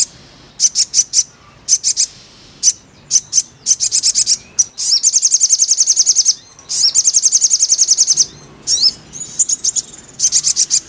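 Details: Crimson sunbird singing, used as therapy to get a bird to sing: clusters of sharp high chips, then two long rapid trills, then more short bursts of piercing notes.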